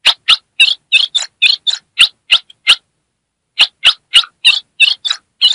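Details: Female Ultramarine grosbeak, Brazil's Northeast, calling and chattering to excite a male: rapid harsh chips about three per second, a pause of nearly a second, then another fast run of raspy high notes.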